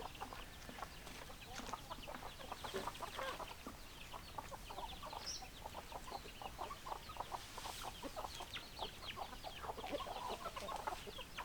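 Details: A flock of chickens clucks steadily, with many short, dry clucks overlapping in a busy, continuous chatter; faint high chirps sit on top of a constant low hum.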